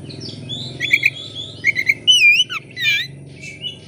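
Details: Oriental magpie-robin singing vigorously with its tail fanned, used as a lure to get other magpie-robins singing: varied clear whistles and sliding, wavering notes, with quick chirps and one strong upswept phrase, over a steady low hum.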